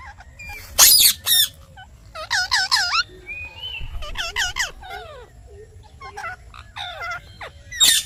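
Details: Pet parrot known for talking produces a busy mix of rasping squawks and ringing, wavering harmonic notes resembling mimicked speech, loud bursts at the start and end.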